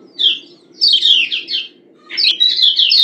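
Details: Lombok kecial kuning, a yellow white-eye, giving the female call meant to excite males: three bursts of sharp high twittering chirps, the last a fast jumbled run, with a faint low background hum.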